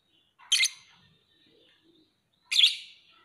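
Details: Two loud, harsh, high-pitched lovebird chirps, each a brief clustered burst, separated by about two seconds of near silence.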